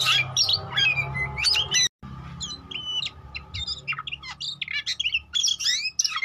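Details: Oriental magpie-robin song used as a lure to prompt rival birds to sing and respond: rapid, varied whistles, chirps and buzzy notes, high and densely packed, with a short break near two seconds over a low steady hum.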